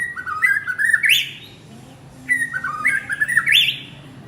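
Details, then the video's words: Male white-rumped shama calling to his partner, giving two similar phrases of clear whistled notes stepping upward and finishing in a harsh rising sweep, the second phrase starting about two seconds after the first. "Chích choè lửa gọi bạn - Shama bird calls his partner"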